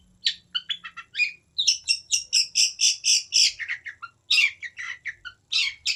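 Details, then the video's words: Long-tailed shrike singing a rapid, varied stream of chattering notes, some shrill and buzzy, some scratchy, forming dense bursts with short gaps between phrases. "Burung pentet unik.."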